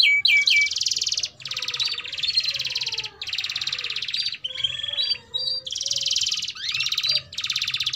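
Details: Canary song used to tutor young canaries: a series of dense buzzing trills, each about a second long, separated by short pauses, with brief whistles between.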